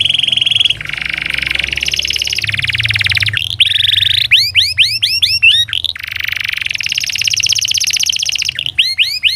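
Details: Canary song used as a training tutor for lazy canaries: loud sustained buzzy trills and rapid rolling notes, broken by a series of sharp rising whistled chips, then more rolling trills, over a low steady hum.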